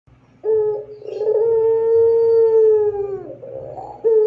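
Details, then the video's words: Pelung-style Barbary dove song, clear and long, suited as a training recording for other doves: one drawn-out steady coo lasting about two and a half seconds that sags at the end, then short rough notes and the start of another coo. "Suara Puter Pelung Gacor Panjang Jernih Cocok Buat Masteran Puter Auto Gacor"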